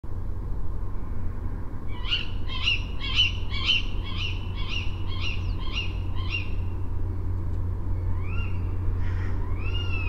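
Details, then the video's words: Tawny owl recorded from a balcony in Varberg in October at night, giving a quick run of about nine sharp, nasal notes, twice a second, then a few rising squeaky calls over a steady low rumble of tunnel construction noise. "Tawny Owl Sounds"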